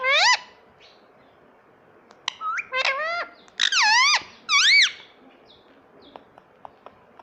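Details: Indian ringneck parakeet kept as a pet giving a few loud, sharp, bending squeaks in short bursts, with quieter faint clicks between them in a calm indoor setting.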